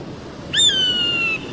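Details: One drawn-out piercing whistle from an eagle, sudden at the start and easing slowly lower across about three-quarters of a second, with a soft background hiss.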